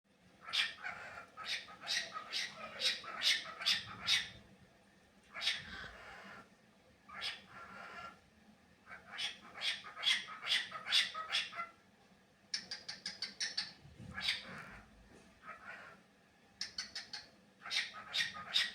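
A cockatiel chatters in quick runs of sharp, scratchy chirps, pausing briefly between bursts.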